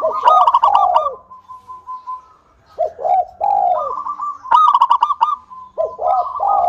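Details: Singing local zebra dove used to prompt other doves to sing: bursts of bubbling trills mixed with down-slurred coos, repeated in phrases about every two to three seconds.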